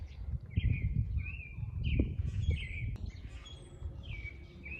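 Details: Grackle males exhibiting and calling: a run of shrill, squeaky sliding notes, one after another, then a pause and a last pair, set against heavy low rumbling wind or background noise.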